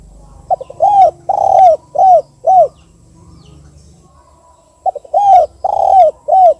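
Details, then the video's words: A spotted dove gives "KUK 2" cooing used as a lure to draw other doves: two quick soft notes, then three or four mellow, slightly falling coos. The phrase is given twice with a quiet pause between. "Suara Tekukur KUK 2 (dua)"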